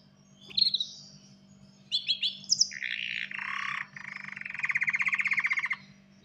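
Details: Male canary ready to breed sings to call a female and prompt mating: high chirps, then harsh buzzy phrases and a long rapid rattling trill of evenly repeated notes, over a steady low hum.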